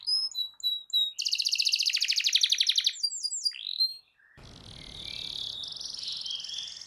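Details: Lively canary song meant to coax a silent canary into singing: quick chirped notes, then a loud, rapid rattling trill with sweeping whistles. The song cuts into a quieter stretch of steady trilling over background hiss.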